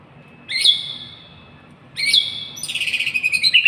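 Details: White-rumped shama singing: two loud whistled notes that slide downward, about a second and a half apart, then a fast run of rapid, evenly pulsed notes, with faint low background hum.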